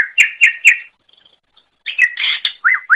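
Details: Song of a greater green leafbird, offered as training material for other songbirds: three loud slurred chirps, a pause, then a busy jumble of whistles ending in swooping descending notes.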